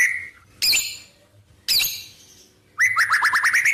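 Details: White-rumped shama singing isian phrases learned from wild birds: two sharp, explosive high chirps about a second apart, followed by a quick series of rising whistled notes repeated about eight times.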